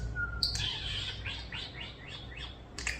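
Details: One of two hand-raised European starlings, about one year old in June 2025, rescued after falling from the nest as babies, whistles a thin steady note, then about eight falling chirps, with clicks and room hum.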